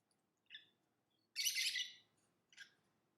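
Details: Lovebird calling in three separated bursts: a short high chirp, a louder harsh rasping chirp lasting about half a second, then another brief chirp, over a faint low background hum.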